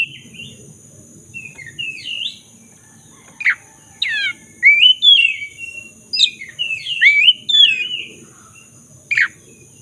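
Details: Black-breasted magpie-robin in vigorous song, meant to coax a silent bird back into singing: lively twisting whistles and quick chirps in clustered bursts, some rasping downward notes, over low rumbling background noise and a steady high whine.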